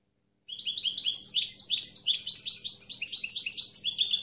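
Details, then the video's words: European goldfinch song from a clean recording intended for tutoring other birds: continuous, fast, high twittering with rolling, slurred chirps and liquid notes running without a break for almost four seconds. "Canto del Jilguero Limpio Chant chardonneret"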